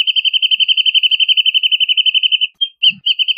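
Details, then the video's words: Wrentit (Chamaea fasciata): a long, fast, high trill of evenly repeated pips lasting about two and a half seconds, then a short gap and a few separate notes starting the next phrase. "Wrentit Singing! Wrentit Calling! Wrentit Chirping! Wrentit Sound!"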